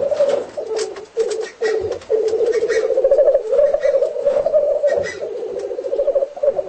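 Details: Black grouse calling during display, home footage: rapid pulsing, bubbling low coos. At first they come in short bursts separated by brief gaps, then they merge into a continuous rolling chorus with occasional hisses.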